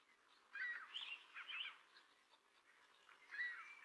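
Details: Song Sparrow male's territorial song, sung to claim ownership and attract females: a burst of sharp whistled and buzzy notes, a pause with faint background hiss, then another short whistled phrase starting near the end.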